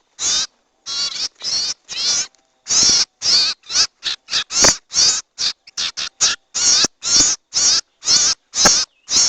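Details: Owl call lure (sirtu, serdung): a steady train of rasping, noisy screeches, roughly two per second, some shorter and clipped, continuing without other sounds in the background.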